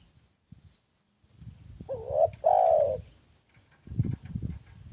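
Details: Spotted dove cooing once: a bending lead-in note followed by a strong, sustained hollow coo, surrounded by low thumping and rustling noises before and after the phrase.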